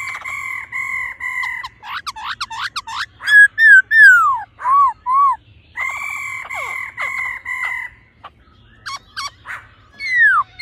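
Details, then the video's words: Female laughingthrush giving a ro ro call to stimulate the male: long level nasal notes with strong harmonics, then a run of rising and falling whistled slurs, more steady notes, and a final downslurred whistle. "khướu mái ro ro kích trống nhanh căng lửa"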